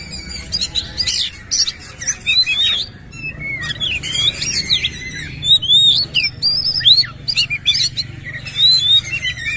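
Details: White-rumped shama, a kacer, singing with its tail spread in a rough, harsh style; a rich stream of varied whistles, upward sweeps and sharp clicks in quick irregular bursts over a low steady hum.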